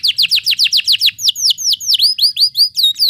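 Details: Canary in rolling ngeroll song, used as therapy to get quiet canaries singing: a steady run of bright downslurred whistles, about two per second, shifting midway to upward-curving notes, with a faint low hum underneath.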